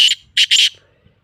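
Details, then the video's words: Short black francolin phrase of three harsh, buzzy notes, the last two run close together, with faint low hum behind. "KALA TEETAR KE AWAZ"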